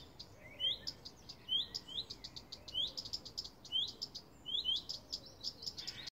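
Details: Warning calls from a common redstart in a garden, one of two birds alarming for hours: a steady pattern of brief rising whistles, each trailed by several dry tick notes, roughly once a second.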